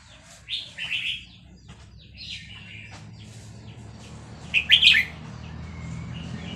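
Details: {'text': 'Vietnamese red-whiskered bulbul kept as a cage bird, stirred by a played chick recording, gives a warbled phrase early on and another quick chirpy burst later over a steady low background hum.'}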